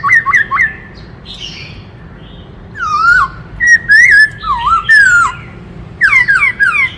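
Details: Varied black-throated laughingthrush song: quick upslurred notes, a pause, then strong swooping, dipping and wavering whistles with harsher chatter.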